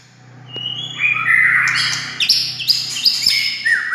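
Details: White-rumped shama singing, used to provoke silent shamas into answering: rising whistled phrases that swell into loud mixed harsh and tonal notes, with a steady low hum underneath.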